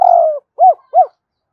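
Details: Part of a spotted dove's call to its mate: a long, slightly falling coo followed by two short, rounded, arched hoots.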